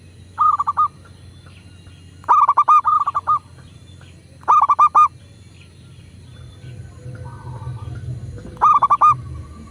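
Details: Local zebra dove, its song used as a lure to make kept doves sing: four brisk phrases of rapid, bouncing coos spaced about two to four seconds apart, with quiet low background noise between.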